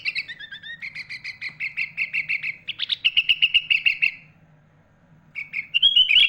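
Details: Sooty-headed bulbul singing in a lively style packed with phrases borrowed from other birds such as magpie-robin, used to tutor young and adult bulbuls: long rapid series of repeated chirps for about four seconds, silence, then sharp rising whistles over a low hum.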